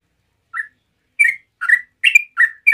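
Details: Yellow-vented bulbul (Pycnonotus goiavier) singing relaxed rolling song that prompts other bulbuls to answer at once: six short, bubbly, liquid notes, about two per second, mid-pitched and slightly rising, with quiet background.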